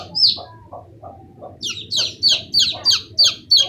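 Chicks peep loudly in shrill, downward-slurred cheeps, about three a second, over soft low knocking in the background.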